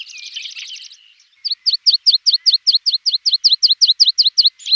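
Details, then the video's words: Tutor song of a Javan bush lark for training cage birds: a brief buzzy rattling trill, a short pause, then a steady series of sharp downslurred chip notes, about three each second. Background otherwise silent. "Masteran Branjangan!!"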